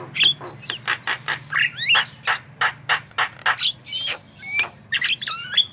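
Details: Harsh, squawking Javan myna song, recorded to prompt other birds to sing; a string of rough rasping bursts roughly twice a second, broken by twisting whistled slurs, over a low steady hum.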